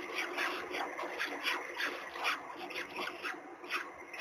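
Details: Peregrine falcon at a webcam-watched nest in Gdynia, Poland, on 16 April 2021, during the hatching of the third chick: harsh, rasping calls repeated at an uneven pace, slightly over one per second, over steady background hiss.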